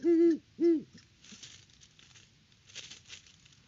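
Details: Great horned owls at their nest tree on a Kansas farm near Peabody, October 17, 2023, during a hooting bout at the nest. Two loud, deep, slightly arched hoots are followed by soft clucking and faint rustling.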